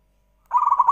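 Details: Zebra dove song played to lure other doves into singing: a half-second burst of fast, pulsed, low cooing notes, cut off mid-phrase.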